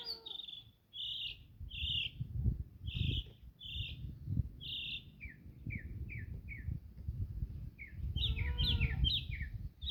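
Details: A couple of mockingbirds in Jamaica repeat short, bright chirped phrases of three to four notes, making many different sounds and switching to quick falling notes, over steady low rumbling background noise.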